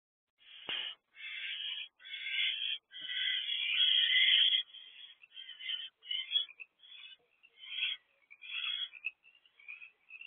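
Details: Owls at a nest box during an evening food delivery of rodents on 1 March 2024 at 7:24 pm: harsh, raspy hissing screeches, long at first, then breaking into shorter rough bursts.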